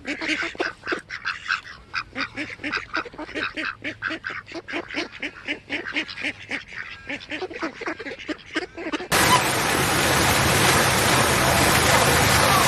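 A swan gives a run of nasal, goose-like honks, followed by a burst of harsh hiss.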